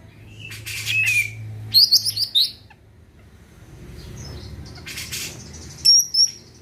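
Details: Greater green leafbird, a lively singer kept to prompt other birds into singing, giving scattered bright whistles and short buzzy bursts with pauses between, a sharp high whistle near the end, faint low hum beneath.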